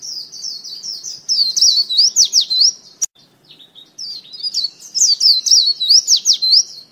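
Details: Lure white-eye delivering a high, sweet, rapidly warbled twitter in two long phrases separated by a brief silence and a sharp click.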